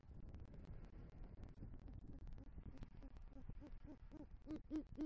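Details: Night at an eagle nest tree in Southwest Florida where a great horned owl pair visits and the male calls for the female; quick, short, low hoots repeat rapidly, building in loudness, over soft hiss.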